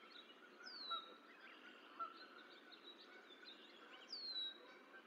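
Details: Goose in the Decorah eagle nest while its last gosling hatches on 14 April 2024; two high, falling whistled notes mark the start and end, with a few short honk-like notes between them over steady hiss.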